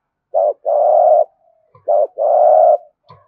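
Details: Spotted dove coo in the thổ style, used to get other doves cooing: two phrases, each a short low note then a longer, slightly buzzy coo, about a second and a half apart.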